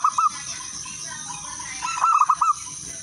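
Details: Song of a local wild zebra dove, used to prompt other doves to sing. Two quick coos open, then after a pause a crisp phrase of four or five rolling, up-curling notes. Background cooing and hiss.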